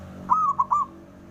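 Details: Male local zebra dove calling to provoke rivals into answering; a short three-part mellow coo, a sustained tone, a brief note, then a longer slurred one, over a quiet background.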